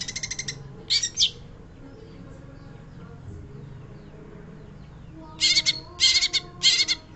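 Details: Long-tailed shrike giving harsh, buzzy, rasping bursts: two short bursts at the start, a quiet gap with low background hum, then three more grating bursts near the end.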